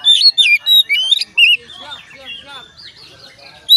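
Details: Oriental magpie-robin song used to set other magpie-robins singing; sharp whistled and chirped notes in quick bursts, then a softer twittering passage and a final loud note.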